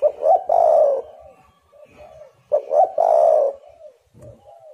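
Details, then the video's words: Spotted dove cooing, recorded to lure other doves into calling: two loud, low, hollow cooing phrases about two seconds apart, each made of short rising notes and a long throaty coo, with softer cooing in between. "tekukur super gacor 1juta burung dengar suara ini langsung emosi"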